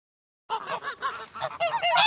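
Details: Farm goose honking in a rapid run of nasal, bugling calls, roughly eight notes in under two seconds, growing louder and more strained toward the end.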